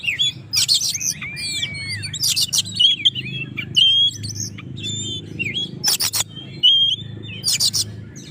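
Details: Oriental magpie-robin in full song, used to provoke rivals: loud, varied phrases of clear whistles, upslurred and downslurred notes and sweeping glides, mixed with harsh buzzy bursts, over a faint low hum.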